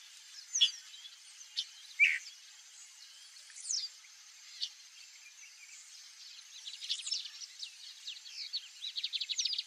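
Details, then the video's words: A White-browed meadowlark, a Brazilian grassland bird, calls with scattered sharp, high notes, then a buzzy, rattling run of notes toward the end, over faint background hiss. "WHITE-BROWED MEADOWLARK calling"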